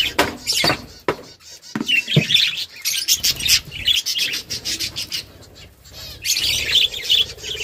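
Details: Budgerigar mother feeding chicks, with bursts of warbled, squeaky chirping separated by brief pauses and a few sharp clicks. The calls are loudest around four and six to seven seconds.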